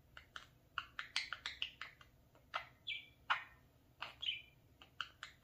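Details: Pet talking parakeet playing in front of a mirror indoors, giving a rapid series of short chirps and squawky notes with a few brief whistled slurs, bursts about every quarter second.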